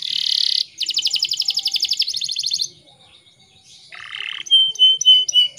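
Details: Canary lure song played in the morning for untrained canaries or ones silent from stress or moult: a harsh buzz, then long rapid rolling trills, a short lower buzzy roll and thin high whistles.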